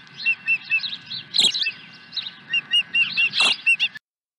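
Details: Repeated bright, whistled chirps spaced every quarter second or so from an osprey at its Dunrovin Ranch nest on 23 April 2020 after bringing a second fish, with two loud scraping bursts.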